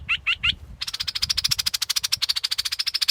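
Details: Three sharp, high, clipped notes from a scarlet-backed flowerpecker, a short pause, then a fast, even, buzzy high-pitched trill running to the end.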